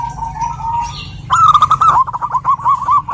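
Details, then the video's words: Local Zebra dove, a female calling a male: a soft trilled coo near one pitch, then a louder burst of quick rolling notes repeated in a fast series, with low background hum. "burung perkutut gacor betina memanggil jantan ini"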